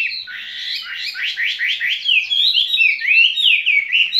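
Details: Caged skylark singing a continuous warbled song of buzzy sliding notes, rising and falling phrases blending into clear whistled slurs, steady and fairly loud, with no other sounds.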